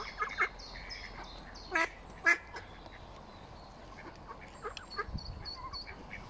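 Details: Mallard ducklings, nine of them, on their first swim with their parents at Smithspool, Fenton, on 15 April 2022; faint high thin peeps repeating in quick runs, with a few louder harsher calls near the start.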